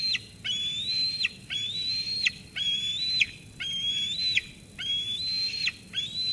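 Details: Eaglet at a Sauces Canyon nest squeeing at its mother after she brings food, until she leaves: long, thin, high whistled squees, each ending in a sharp downward flick, repeated about once a second over steady background hiss.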